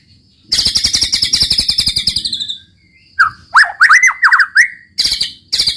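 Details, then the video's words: White-rumped shama singing 'gacor' with a long fast buzzy rattle of about two seconds, a pause, then quick swooping whistled phrases and further harsh rattling bursts. "muraibatu roll tembak ajib bikin lawan naik emosi dan ikutan gacor MURAIBATU GACOR | SHAMA BIRD"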